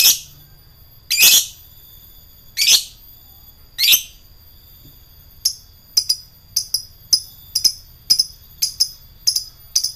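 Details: Lovebird singing ngekek to provoke rival birds: four long, rasping, shrill screeches are followed by a fast run of short, sharp chirps, about two per second.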